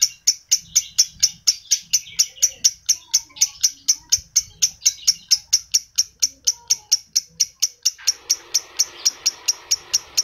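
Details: Adult lovebird chattering used to stimulate other lovebirds: a steady series of sharp, high chirps, about two per second, with a rushing hiss joining near the end.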